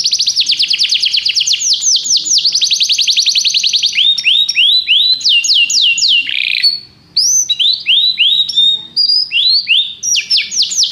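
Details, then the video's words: Canary singing a training song: fast buzzy trill at the start, then a series of repeated downward-sweeping whistled notes and varied chirping phrases, loud and continuous with a brief gap near seven seconds. "treinamento canário - seu canário cantará muito se ouvir isso"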